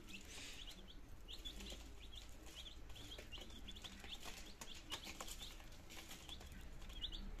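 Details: Healthy domestic chicks, nineteen, two days old in Germany on 17 September 2022, beginning to eat and drink; many overlapping shrill peeps in quick succession throughout, over a low background drone.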